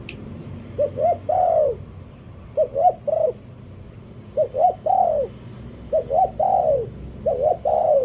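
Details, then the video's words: Spotted dove used as a decoy, cooing in groups of two quick notes capped by a long descending coo, with irregular pauses between groups and a faint click at the start. "เสียงนกต่อ นกเขาใหญ่"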